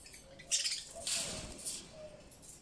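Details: Pet budgerigars (Melopsittacus undulatus) chatter in three harsh, scratchy bursts of high chirping in under three seconds, over a faint low hum.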